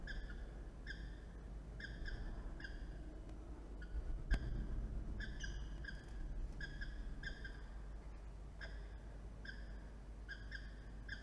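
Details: Peregrine falcon at a nest ledge in NSW during incubation of three eggs, on a morning with many arrivals and departures, giving short, harsh, ringing notes in quick clusters of two to four over a low constant rumble.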